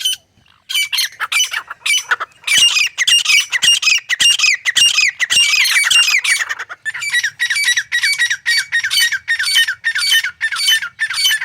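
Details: Grey francolin call used for hunting: rasping notes repeated almost two per second, dense and loud at first, then a slightly thinner, evenly pulsed series in the second half.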